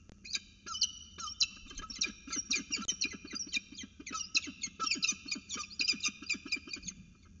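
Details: Peregrine falcons at a nest site in Orange, New South Wales, on 31 August 2020, during a breakfast food delivery: rapid, harsh, harmonic chittering calls repeated in dense bursts, rising and falling in loudness for about seven seconds.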